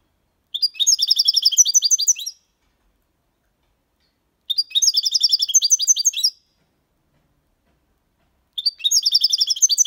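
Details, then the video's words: Six-month-old European goldfinch singing a clean Málaga-style copy song, used to tutor young goldfinches and hybrids: three identical bursts of rapid, tinkling, twittering notes, each about two seconds long and separated by two-second silences, with no background noise. "Jilguero cantando Limpio 6 meses/ chardonneret chante la copia Malaga / Goldfinch singing"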